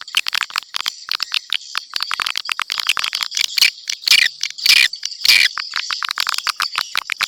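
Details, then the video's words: Swiftlet calls played to lure swiftlets: a steady stream of rapid high clicks and chirps, broken by several louder harsh rasping bursts in the second half. "suara panggil terbaik"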